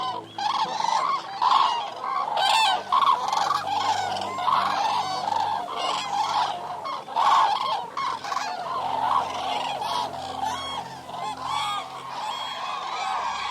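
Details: Eurasian cranes calling as a flock: loud, rolling trumpeted calls overlap continuously, with many birds bugling at once in a dense, ringing chorus.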